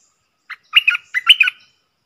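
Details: A wild bulbul, said to be avoiding the cage and likely nesting with chicks, gives a short lead note followed by two rapid liquid warbled phrases, each a tight cluster of rising and falling notes, against a silent background.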